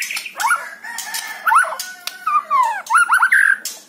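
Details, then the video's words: White-rumped shama song played to stimulate a kept bird: clear sliding whistles, some long and drawn out, ending in a quick series of rising whistled notes. "PANCING MURAI BATU ANDA DENGAN SUARA INI"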